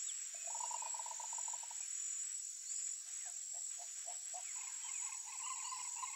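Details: Wild green ibis: a fast burst of low, rattling pulsed notes, then a looser run of separate low notes. A constant high-pitched insect drone continues behind it.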